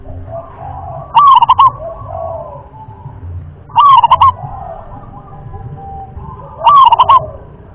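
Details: Rhythm-class song of a local zebra dove, a style much sought after: three cooing phrases, each a rolling note followed by rapid short coos, spaced roughly three seconds apart, with soft low background noise.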